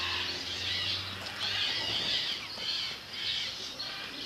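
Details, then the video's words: Flock of sparrows at a bird park: dense continuous chirping and twittering from many birds, rising and falling in loudness, with a low hum early on. "Парк птиц Воробьи"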